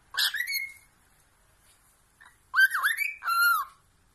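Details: Pet cockatiel at play on its swing: a rising whistle, a pause, then a wavering dipping whistle and a steady held note, all clear and harmonic against silence.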